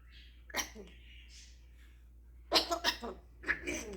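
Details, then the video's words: Pet male African grey parrot performing his repertoire of imitations: short rasping, cough-like bursts and a thin whistled note early on, then a cluster of harsh throaty noises, with human talk nearby. "the African Grey, micheal jackson. snoring, doggie, kitty, rooster noise etc."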